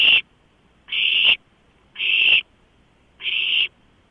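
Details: Begging owlets at a nighttime food delivery of a large rodent, 23 March 2015: four rasping, hissy screeches, each about half a second long, spaced around a second apart.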